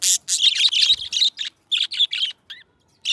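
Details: A pair of pet budgies singing, heard as clipped chirps and rasping chatter in short separate bursts with clear silences between them, and two small rising tones near the end.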